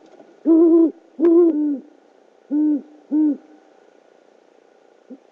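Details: Great horned owl on a nest camera in OKC, 12 February 2013 near 9.30 PM, as the male brings a rodent to his mate: loud, drawn-out low hoots, two close together then two more, and a brief soft note.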